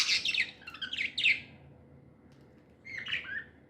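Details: Happy pet budgies giving a few harsh, descending squawky chirps in quick succession, then a pause and one more raspy note; quiet room behind.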